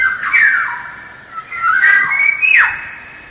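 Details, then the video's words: Black-naped oriole lure song: a continuous run of liquid fluting whistles that slide up and down, with three louder swooping phrases. "Suara Pancingan Kepodang Emas Gacor"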